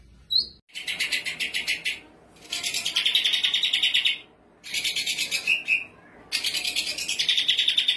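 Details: Greater green leafbird, described as a champion songbird, in full-content training song: dense, buzzy rapid trills in four bursts of about a second or more each, separated by short silences, high-pitched and harsh throughout.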